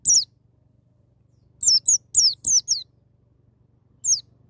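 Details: Ngalas-style white-eye song, wild-type singing with sharp nembak notes meant to trigger untrained young birds: a lone high downslurred whistle, a quick cluster of five thin falling notes, then a single note after a pause, over a soft low hum.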